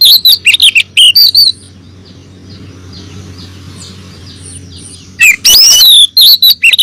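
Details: Female oriental magpie-robin calling for the male, recorded as a lure for caged males; clusters of wavering whistled notes open and close, separated by several seconds of faint low hum.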